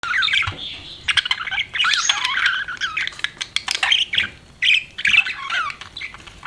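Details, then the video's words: Pet budgerigar chirping: dense run of scratchy, warbling chatter and squawky notes with quick pitch sweeps, broken by short pauses, continuing throughout. "BUDGIE CHIRPING SOUNDS"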